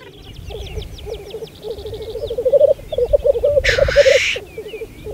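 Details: Spring 2014 black grouse lek on Saaremaa: rapid rhythmic bubbling cooing that grows louder and more insistent, interrupted by a rasping hiss, with a bird twittering higher in the opening seconds.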